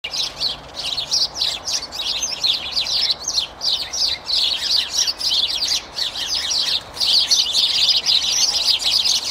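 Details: A boisterous group of sparrows arguing noisily in a tree: dense, overlapping high chirps and tweets pour out continuously, several per second, in an excited chattering chorus with barely any pause.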